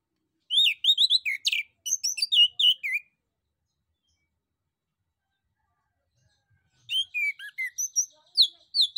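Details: Male orange-headed thrush in full, lively song, used to prompt other birds to answer: two bursts of quick, varied whistled phrases, rising and falling slurs with some higher sharp notes, separated by several seconds of silence.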